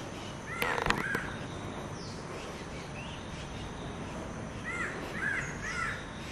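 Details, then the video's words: A greater racket-tailed drongo in Udupi, Karnataka, India, in July, mimics a crow while watching its surroundings: short, hoarse, arched caw-like notes, a pair near the start and a quick run of three at the end, over steady hiss. "A Greater Racket tailed Drongo - mimicking a crow!!"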